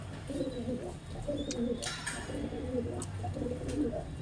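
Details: Pigeons during mating, continuous low bubbling coos layered in a steady rolling run, with a brief hiss and faint chirps in the background.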